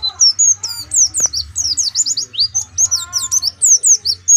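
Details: Continuous high, varied twittering from an Oriental white-eye from Pemalang: quick downslurred and upswept chirps run almost without pause, with one sharp click near the start and a low hum underneath.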